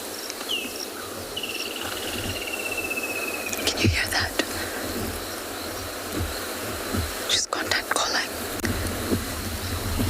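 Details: Woodland kingfishers calling loudly at sunrise on 23 December near Kayamanzi Dam, Tswalu Kalahari Reserve, South Africa, drowning out other sounds; a single sharp note, then a long, high trill gently descending, with engine hum and rustling.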